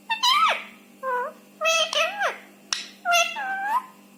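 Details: Rescued Indian ringneck parakeet talking indoors: a string of harmonic, voice-like syllables with falling and wavering inflections, some sliding downward sharply, in short phrases separated by brief pauses.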